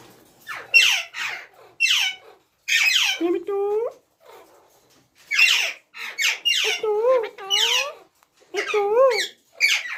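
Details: Ringneck parrot alternating rough, high screeches with short, rising-and-falling tonal chatter notes, grouped in bursts with brief pauses.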